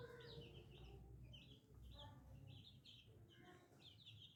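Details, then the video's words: Chicks peep in short, high, bouncing notes over a steady low rumble, with hen clucks in the mid range. "Chicken Free Sound || Funny Chicks baby"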